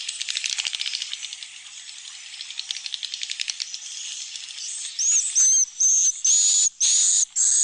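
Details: Swiftlet roosting sound used in breeding-house sleeping rooms to comfort birds with the impression of a nearby flock: fast, buzzy high-pitched chattering ticks at first, ending in a series of loud, clipped, slightly rising whistled notes.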